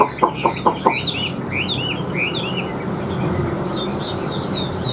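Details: Chinese hwamei, a big caged bird with yellow legs and bill, gives a few sharp knocking sounds, then slurred, swooping whistles that settle into a steady repeated high warble over background hiss.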